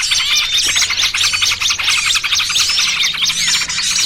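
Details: Dense lure mix for catching small birds, noisy trucukan with 'pinched' small-bird cries: shrill, overlapping chirps and scratchy squeaks in rapid succession, many voices at once.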